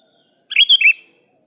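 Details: One lively sooty-headed bulbul phrase, a rival call of three quick warbled whistled notes rising then falling, loud and close, with a faint high hiss.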